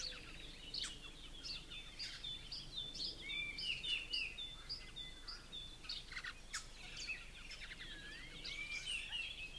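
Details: Captive blue-crowned laughingthrushes, parents feeding two day-old fledglings sitting at the top of a conifer in an aviary; scattered sharp chirps and short whistled slurs with brief squeaky bursts over steady background hiss.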